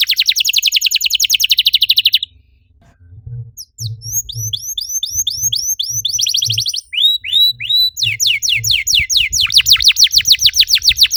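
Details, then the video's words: Canary song used to stimulate other canaries to sing: fast trilled rattle, a short pause, then varied phrases of sweeping whistles, quick buzzy trills and repeated downslurred notes, with a faint low hum underneath. "PANCINGAN EFEKTIF BURUNG KENARI, CORR DORRR!!"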